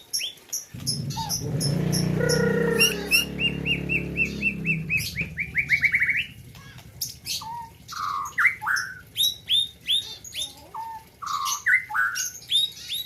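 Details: White-rumped shama from the Gayo highlands of Aceh, at a 2021 bird competition: after a low rumbling noise, a fast accelerating series of clear whistled notes, then varied chirps and upswept whistles.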